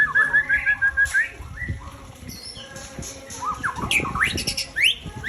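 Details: White-rumped shama, or murai, a breeding bird with a 21 tail, gives a quick series of whistled notes, then a pause and then sharp rising and falling phrases over light background rustling.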